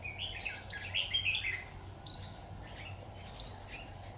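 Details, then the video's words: Red-whiskered bulbul song during trapping with a decoy bird on 26 October 2019: short bright warbled phrases and sharp high whistles in separate bursts, over steady low rumbling background noise. "Bẫy chào mào Treo thế củ chuối tí vỡ mồi"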